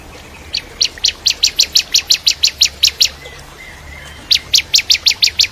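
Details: Bar-winged prinia (ciblek kristal), tutor song for training shamas: a long steady series of about fourteen sharp high chips, a short pause with a faint slurred whistle, then another rapid run of chips.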